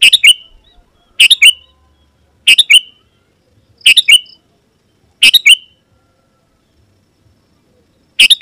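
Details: Sooty-headed bulbul (kutilang) singing lively song meant to call rival wild birds: six short, bright, bubbly phrases of a few rapid notes, each separated by over a second of silence, the final notes slurring downward.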